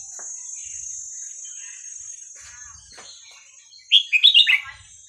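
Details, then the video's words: Song in the hua krok khayao khuat style from a Red-whiskered bulbul, played to teach young birds: after quiet chirps and soft clicks, one loud burst of quick bubbling whistles near the end, with a steady high hiss. "เสียงนกกรงหัวจุกเพลงหัวครกเขย่าขวด เปิดสอนลูกนก"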